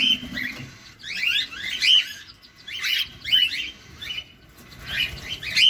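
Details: Cockatiel during feeding: loud chattering bursts of rising chirps in regular clusters about every second, each burst rich in overtones, over a quiet background.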